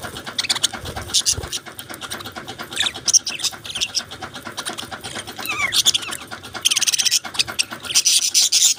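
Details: Constant high chatter of budgies: overlapping squeaks, clicks and warbling chirps, one clear downward-sliding whistle midway, and louder bursts of hissy chattering toward the end.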